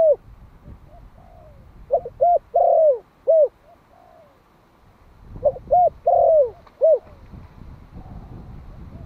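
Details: Vietnamese decoy spotted dove, a one-year-old Malai bird, calling to lure wild birds: soft coos build into a phrase of clipped notes and a longer descending coo, then the pattern repeats after a quiet gap.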